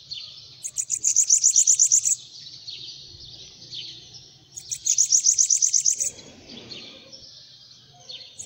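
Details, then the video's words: Two bursts of rapid, high, tinkling notes from a bananaquit perched on a hand, about three and a half seconds apart. Soft rustling comes after the second phrase, and a low background hum is steady throughout. "SIBITE CANTANDO NA MÃO"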